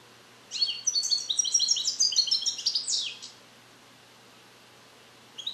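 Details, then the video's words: Captive-bred male European goldfinch, born 2021 and song-trained on Neapolitan passages, isolated in a carrier: a bright burst of twittering, tinkling high notes and buzzy trills lasting under three seconds, then quiet hiss. "Cardellino Passata Napoletana 2021 - European Goldfinch - Jilguero cante limpio"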